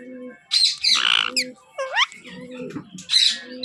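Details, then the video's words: Young pet Alexandrine parakeet squawking loudly: rough, buzzy bursts with a quick rising whistled note in the middle, several calls in quick succession, and a low repeated cooing hum underneath. "Alexander Baby Parrot Sound"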